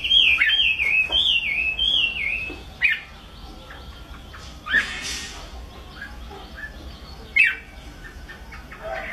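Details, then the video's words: Chinese hwamei delivering a burst of rich, warbling whistled phrases with quick up-and-down slurs, then falling mostly quiet apart from a few short sharp notes. "Hoa mi bông hót hay"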